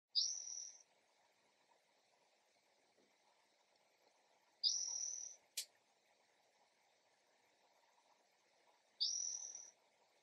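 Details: A Spotted Towhee calls early one morning in a backyard: a nasal, buzzy, slightly rising mew about every four and a half seconds, over a faint hiss of distant insects and one sharp click.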